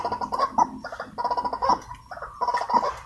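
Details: Agitated wild white-breasted waterhens reacting to a decoy during trapping: gargling, stuttering bursts of nasal croaks run together in quick rolling phrases, repeating without pause.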